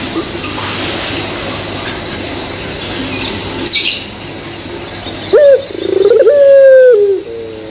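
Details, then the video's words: Barbary dove (puter pelung) cooing as a lure to get other doves calling: after faint high chirps and a brief rustle, a short burst leads into one long, drawn-out coo that rises and holds a steady tone before dropping away. "Pancingan Puter Pelung Bikin Puter Pelung Yang Lain ikutan Gacor"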